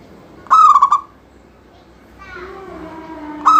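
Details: Local zebra dove in full song, used to prompt other doves to sing: one clear phrase of rapid clipped notes rolling into a level coo, a softer rising murmur after it, and the next phrase just beginning.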